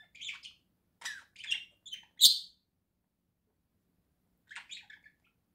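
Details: Pet budgerigars, a pair kept in a cage at home in November 2024, give a run of quick scratchy chirps and one loud squawky note, then a gap and a soft chattered phrase.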